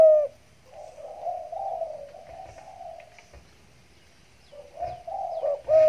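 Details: Stuttering 'gagap' spotted dove, caged in a hanging cage in the Riau Islands, cooing just after its bath: low, drawn-out hollow coo phrases, softer in the middle, then a louder burst of coos toward the end, with faint clicks behind.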